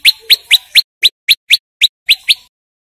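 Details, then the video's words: Male prinia in loud song, meant to attract wild birds: about ten sharp, upward-sweeping chips, evenly paced at roughly four per second, ending abruptly. "Suara Prenjak Lumut Gacor Untuk Pikat Semua Burung Perenjak / Ciblek & Cinenen Di Alam Liar"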